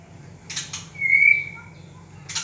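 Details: A White-rumped shama of the Ranong local form gives a single clear, pure whistle, held about half a second and rising slightly, between soft clicks and rustles.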